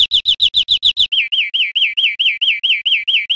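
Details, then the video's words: Greenfinch song from Spain, 2013: a brief quick trill of clipped notes, then a steady string of looping, arched whistles repeated roughly four times a second. "Canto de Verderón 2013 / España"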